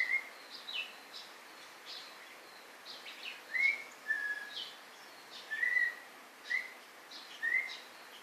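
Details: White-rumped shama giving clear mid-pitched whistled notes roughly every second, some slurred upward, interleaved with fainter high chips, against steady background hiss.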